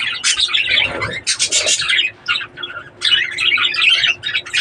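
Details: Budgerigars kept for breeding give dense chirping and squawking chatter, bursts of scratchy warbles and sharp tweets overlapping, with a brief pause near the middle and a faint steady hum beneath.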